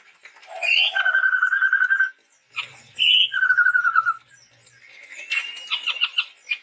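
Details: Male chestnut-rumped babbler from Sumatran forest, in full song: long, steady, rapid trills on one pitch, the second slightly falling, followed by harsh chattering notes.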